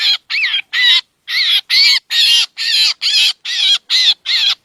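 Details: Rough, nasal drongo squawks played to lure birds for trapping, repeated quickly about twice per second after a brief pause near the start.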